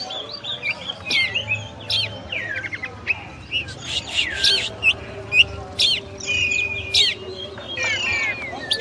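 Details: Oriental magpie-robin (kacer) song of sharp clicks, looping whistles and buzzy slurs delivered in irregular bursts, with a constant low hum in the background.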